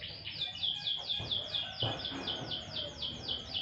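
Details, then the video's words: Canary sunbathing sings evenly spaced high descending chirps, a little over two per second, against low-level background noise. "burung kenari jemur tipis tipis"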